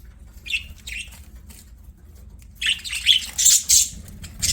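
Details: Budgerigars singing while playing; two brief chirps, then after a pause a burst of loud, rapid buzzy chirps and squeaks in quick succession.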